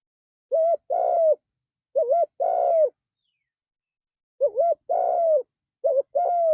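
Spotted dove cooing in low, mellow phrases: a short double note then a longer drawn-out coo, repeated three times over a silent background.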